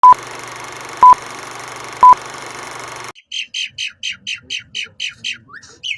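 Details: Asian pied starling, a species said to have many varied sounds and to mimic human voices. A steady electronic tone with regular beeps fills the first half, then the bird gives a rapid series of short, even, chattering notes about twice a second.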